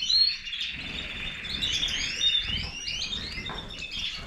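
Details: Major goldfinch twittering: bright high chirps and short slurred whistles strung together, loudest at the very start.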